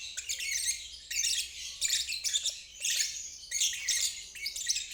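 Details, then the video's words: Lovebird trilling in ngeriwik style, played so young or stalled birds learn it. Scratchy, high chattering phrases of about a second repeat with short silences between them. "Terapi Lovebird ngeriwik untuk burung macet dan balibu belajar bunyi"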